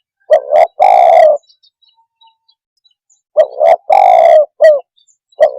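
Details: Spotted dove calling to make other birds agitated: a loud three-note coo phrase, a long pause, then the same phrase again and the start of another, heavy and distorted.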